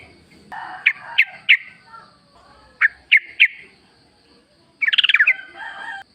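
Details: Yellow-vented bulbul calling in natural surroundings, meant as a lure for caged birds: two sets of three sharp chirps, then a brief burbling, buzzy phrase over a low background murmur.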